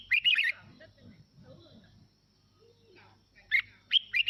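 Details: Red-whiskered bulbul singing as playback to stir other birds. A quick rattling burst of notes opens the clip, then a quiet stretch with faint murmuring, then several more bright notes.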